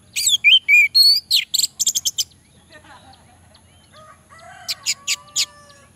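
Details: Orange-headed thrush song played as a lure to prompt lazy males to sing: a burst of rich, varied whistled phrases, some sliding down, packed into the first two seconds, then quiet, then a few high sharp notes near the end.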